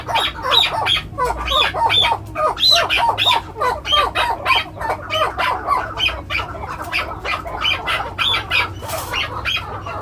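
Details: A seven-month-old male chukar partridge gives a fast run of harsh, clucking chuk notes, about three per second, with a steady low hum behind.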